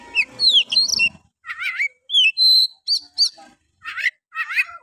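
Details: Oriental magpie-robin singing a harsh, energetic 'nembak kasar' style song, used as a lure to stir other males into singing: varied loud whistles, sweeping slurred notes and rapid chattering phrases in bursts, with brief gaps between phrases.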